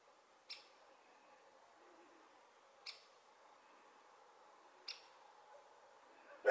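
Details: Great spotted woodpecker (Dendrocopos major) on a telephone pole in Sardinia, giving sharp, short 'kik' notes about every two seconds over a low steady hum, with a louder knock at the end.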